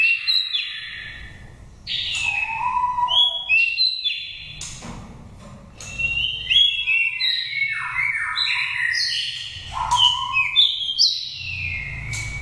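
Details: Wild-type oriental magpie-robin lure song from a five-moult Dak Lak, Vietnam bird: rapid, varied whistled phrases with descending slurs and some lower mellow notes, delivered in dense bursts with short breaks.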